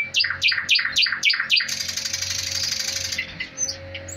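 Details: A captive Thrush Nightingale (Luscinia luscinia) sings at home, a fast series of about seven loud, descending whistled notes, then a dry, buzzing rattle, over a low indoor hum.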